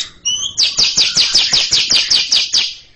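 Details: Greater green leafbird (cucak ijo) in long ngekek chattering before a younger bird: two short high whistles, then a rapid even rattle of about ten loud, harsh, descending buzzy notes.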